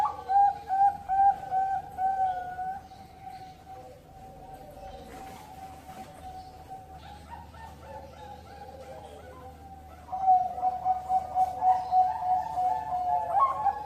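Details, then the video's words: Zebra dove bred in Cirebon, Indonesia, hatched 16 October 2020, a contest or breeding bird; rhythmic low coo notes, a quieter stretch of soft steady tone, then the rapid pulsed cooing returns louder. "SUARA PERKUTUT COCOK UNTUK LOMBA atau TERNAK"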